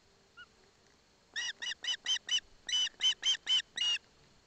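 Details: Osprey chick in Barlinecka Forest, Poland, taking a fish delivered by its father, mother present; two bursts of loud, harsh, ringing chirps, five then five, given quickly and evenly, after one soft short whistle.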